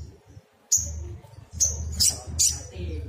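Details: Sogon sunbird giving a few sharp, very high, thin chirps with short pauses between them, over a steady low hum.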